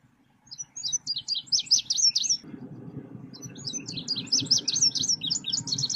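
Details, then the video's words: Lure song of a selendang biru songbird for trapping birds: two rapid high twittering phrases of sharp, varied chirps, each about two seconds, with a low background rumble that grows louder in the second half. "PIKAT SELENDANG BIRU SUARA PANCINGAN"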